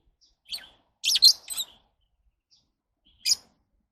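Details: Lovebird producing a quick run of harsh, high squeaky chirps, a short note followed by a loud tumbling burst, then a lone chirp after a pause.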